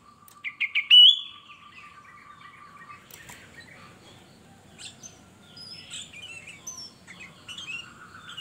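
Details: Sooty-headed bulbul, a captive male, starts with quick clipped notes leading into a loud rising whistle, followed by a jumble of softer chirps and twitters from the fourth second onward.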